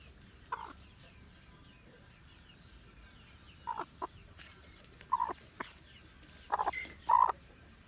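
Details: Hmong black chicken giving short clucking notes in small clusters, several spaced bursts over eight seconds with the loudest pair near the end; quiet background.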